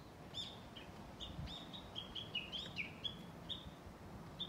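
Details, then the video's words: Japanese bush warbler recorded 11.3.2020: a quick series of short, clear whistled notes, each stepping slightly down in pitch, repeated about twice a second over a steady background hiss. "【Bird Song】Japanese bush warbler"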